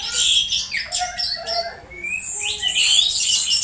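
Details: Captive Orange-headed thrush uttering unusual calls while being conditioned, a recording meant to lure birds into song during dewing: loud dense mix of high chirps, squeals and slurred whistles with little pause.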